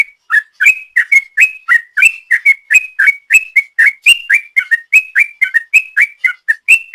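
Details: Long ropel song from a sooty-headed bulbul used as a lure: a continuous, hurried stream of clear whistled notes alternating between a flat higher tone and a downslurred lower one, roughly four per second.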